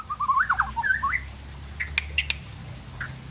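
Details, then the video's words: White-rumped shama giving a quick run of lower, wavering warbled notes, then scattered sharp high squeaks and clicks over a low background hum. "murai pastol"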